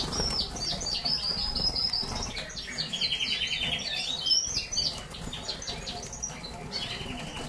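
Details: Agate red mosaic canary recorded in 2009 singing high, rapid rolling trills and twittering phrases, with quick buzzy runs and short pauses between bursts; faint background rustling and noise.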